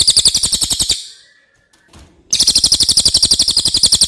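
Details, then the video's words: Tutor recording of cililin song for training contest birds: a rapid stream of high, metallic chips at roughly four per second breaks off into a short silence, then resumes at the same quick, even pace. "suara asli burung cililin"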